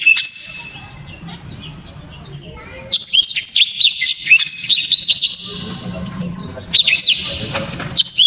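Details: Blacktrod song in loud, sharp bursts: a brief opening phrase, a long two-and-a-half-second string of fast high whistles and slurs, then two shorter bursts after quiet pauses.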